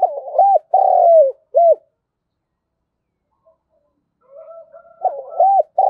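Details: Morning decoy call of a spotted dove luring wild doves: a complete cooing phrase ending in a long falling coo, a pause, then a soft faint coo before the next phrase begins.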